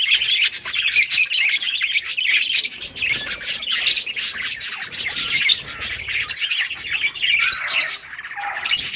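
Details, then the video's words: Budgerigar colony at play, August 25, 2023: continuous, loud, high-pitched chattering and warbling from many birds, a steady wall of chirps and squawks throughout. "budgies beautiful colors playing and chirping sounds"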